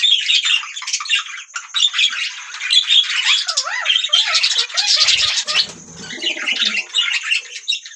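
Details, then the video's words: A group of budgerigar parrots keeps up a lively warbling chatter of squawks and chirps, with a few lower wavering whistles dipping and rising in the middle and a soft thud around midway. "beautiful Budgie parrots sound | beautiful Birds chirping sound"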